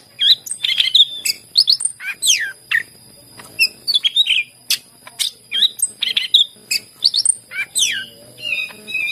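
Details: Greater green leafbird song used to encourage birds that seldom sing: sharp chirps alternating with quick falling whistled swoops, phrases repeated in rhythmic clusters about every second, over a faint constant whine.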